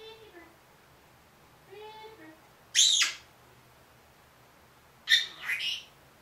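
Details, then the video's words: Talking Senegal parrot, a one-year-old pet, saying phrases like "good morning": two short, low, speech-like harmonic utterances alternate with two loud, rasping high squawks spaced a few seconds apart, in quiet indoor surroundings. "Talking Parrot"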